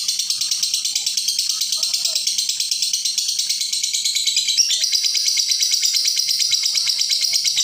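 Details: Lovebird giving its long, unbroken ngekek chatter, kept as a tutoring recording for young birds: a dense, rapid, high-pitched rattling trill that runs without pause and grows slightly louder halfway through.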